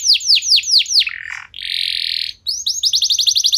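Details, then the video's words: Canary song used as a lure to get other canaries singing: a run of loud descending whistled sweeps, a lower buzzy note, then a sustained harsh buzzing trill and a fast series of short rising chips. "Kenari Anda Bisa Gacor Seketika Dengar Pancingan Kenari Nembak Joss Ini"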